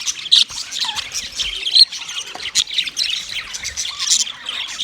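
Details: White male budgerigars during mating give high scratchy chirps, short whistled notes and occasional louder sharp squawks in an uneven chattering stream.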